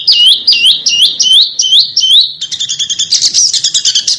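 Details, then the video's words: Small bird song from a master recording for training competition cage birds to copy, sharp bursts: five rising whistled upslurs about every half second, then a fast, dense, high chattering trill. "Suara BURUNG KECIL !!! MASTERAN BURUNG KECIL TEMBAKAN TAJAM DAN SUPER PEDAS"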